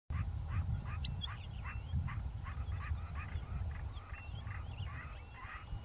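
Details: Large-billed lark (Galerida magnirostris) singing softly while foraging on the ground at sunset on a farm near Hanover, Northern Cape, South Africa: a quick run of short chirps and thin whistled slurs, two or three a second, over low wind rumble.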